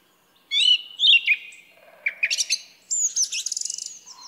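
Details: Loud, clear whistled phrases from a song thrush, followed by scratchy notes and a rapid repeated trill near the end. Background quiet.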